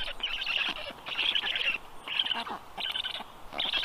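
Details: Storklets of the black stork fed at the nest on 15 June 2022 at 6:22 p.m.; a quick run of five raspy, buzzy bursts, each under half a second, fairly high and harsh.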